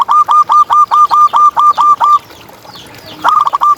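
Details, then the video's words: Zebra dove, a local contest bird heard on a tutor recording, repeats loud clear coos about every quarter second for two seconds, pauses, then resumes with a stuttered trill; faint higher bird chirps behind. "Perkutut Juara Gacor Ngalas"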